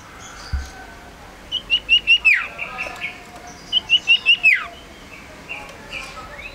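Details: Male cipoh, the Common Iora, a lively tame small yellow bird, sings two matching phrases of four short high whistles each closing with a long downward slur, a few seconds apart, over soft hiss.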